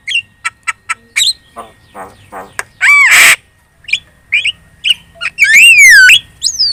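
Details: Javan myna singing a lure song to make other birds reply: clicking notes, a rough buzzy burst, and loud wavering whistles that rise and fall near the end.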